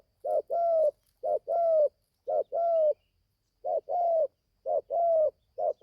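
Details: Young spotted dove from Gia Lai, Vietnam, on its first training outing in the forest, cooing in paired phrases: a short low note, then a longer smooth coo, repeated about once a second in a quiet setting.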